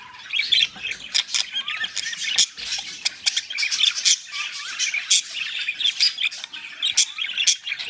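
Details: Caged budgerigars during mating: busy high-pitched chatter of squeaks, clicks and short squawks, steady and overlapping with no pauses.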